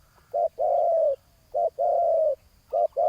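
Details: Spotted doves in a ground decoy setup calling at a rival: clear repeated pairs of a brief coo followed by a long, slightly descending purr, evenly spaced.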